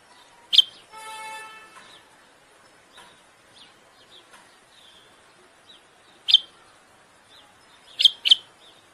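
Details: Common bulbul singing to court and stimulate the female to breed: short sharp high chirps scattered through near silence, a pair close together near the end, with a brief buzzy harmonic burst early on.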